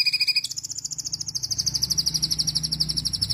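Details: Singing bird switches from paired high tones into a long, rapid, even trill that slowly falls in pitch, over a low steady hum.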